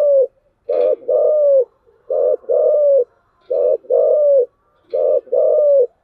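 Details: Spotted dove cooing in the song style known in Vietnam as giọng thổ: low, hollow coos in paired phrases, a short note then a longer, slightly falling one, repeated about every one and a half seconds in a quiet setting.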